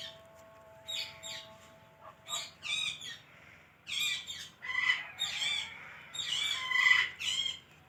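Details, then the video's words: Talking pet parrot producing separate bursts of rich, harmonic squawks and chattering syllables, growing louder toward the end, after a soft steady tone at the start; low background hum throughout. "Adorable Talking Parrot"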